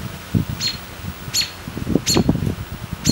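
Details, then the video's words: A robin chirps: four sharp, high notes, each a quick downward slide, spaced under a second apart, over low thumping and rustling close by. "Robin Bird Chirping"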